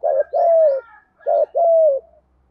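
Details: Spotted dove cooing in Thổ style, used to train captive wild-caught doves that have stopped calling. Two pairs of low coos, each pair a short note and then a longer, gently falling one.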